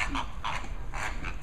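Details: Greater and American flamingos: short nasal honking calls from several birds, quick overlapping honks through the clip, with a steady high hiss.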